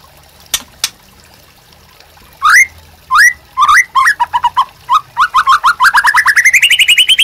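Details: Captive white-rumped shama in full song, meant to provoke and tutor other birds: two sharp clicks, then upslurred whistles, then short notes that speed up into a rapid rising trill at the end.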